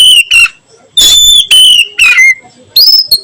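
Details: Oriental magpie-robin's 'nyiul' song in the afternoon: a string of loud pure whistles, some level and some falling, ending on a rising whistled note.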